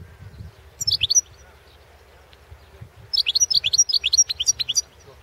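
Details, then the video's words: European goldfinch recorded at the 2016 World Championship in Goldfinch Song, a competition entry: two bursts of bright, high twittering notes, the second a quick run of rapid chirps and trills, over a low background hum. "World championship in Goldfinch Song 2016"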